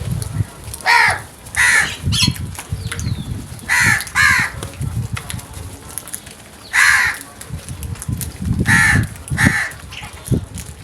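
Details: A number of crows attacking food, giving repeated raucous caws, often in quick pairs, about eight calls in ten seconds, with low rumbling and thuds underneath.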